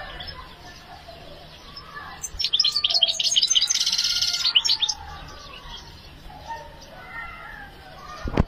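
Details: Hand-reared European goldfinch in strong breeding condition delivering a dense burst of rapid, high twittering notes lasting under three seconds, set against quieter scattered chirps, faint tonal sounds and a sharp click at the end.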